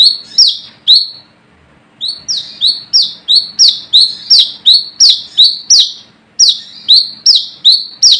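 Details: Brown-throated sunbird in the wild, calling to challenge rivals and used as a lure: a few sharp descending whistles, a pause, then a fast run of bright repeated notes, another break, and more.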